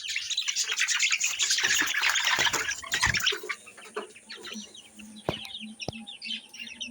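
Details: Fayoumi chickens cluck and peep in quick, uneven bursts, with a rough, noisy rush of sound over the first few seconds and a couple of sharp knocks later.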